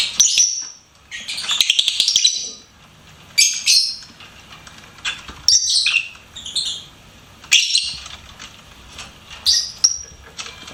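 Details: Pet lovebird singing: loud chattering bursts of shrill, high squeaks, several thin whistled notes ending clusters, repeated about every two seconds over a quiet background.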